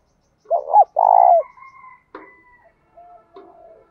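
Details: Spotted dove cooing to stir up wild doves in training. A single phrase has two quick curved notes and a longer vibrating coo. Thin whistles and clicks follow it.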